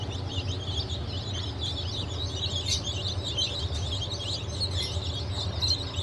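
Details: Group of day-old chicks from a 28 June 2023 hatch of Legbar, Silver Wyandotte, Sussex and GSG Wyandotte breeds, peeping continuously in high, thin, rapid notes, all set against a persistent low drone.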